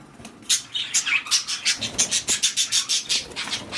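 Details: Budgerigars, kept birds, during mating and breeding: a rapid run of short, scratchy chirps repeated about three times a second, with brief warbled notes near the start.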